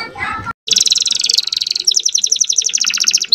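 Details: Young canary singing a master song to excite canaries and bring hens into breeding condition; after a short break, a rapid ringing high trill flows into a pulsing stuttered roll.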